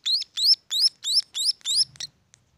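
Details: A brief burst of six loud rising chirps from munia chicks kept at a bird farm, evenly spaced, then fading into silence.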